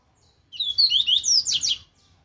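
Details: A double-collared seedeater delivers one dense phrase of its aggressive Laranjeira song, used for training: rapid, piercing whistles swooping up and down for just over a second.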